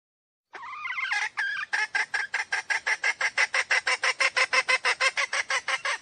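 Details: Lure call of a hen for trapping wild roosters: two wavering opening notes, then steady, evenly spaced harsh clucks repeated about three times a second.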